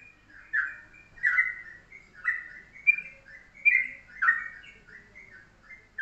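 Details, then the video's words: Morning master song of a yellow-vented bulbul, used to tutor other birds and delivered in the short, tight 'pendek rapet' style: repeated rich, gurgling whistled bursts roughly every second, each with a sharp bright onset. "pagi pagi masteran Ropelan Trucuk dengan pendek rapet"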